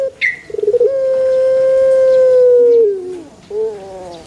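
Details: Male Barbary dove: quick stuttering pulses leading into a long steady held coo that bends downward at the end, then a shorter low note; a sharp chirp from another bird at the start.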